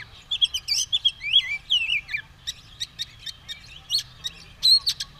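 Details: White-rumped shama, caged, ready to fight with tail spread, singing intricate looping whistles followed by a string of sharp clicking notes.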